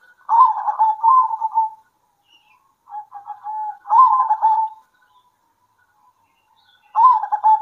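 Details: Zebra doves, local type, singing back and forth at midday: rolling cooing phrases about every three seconds, each starting loud and trailing off, with a softer phrase between.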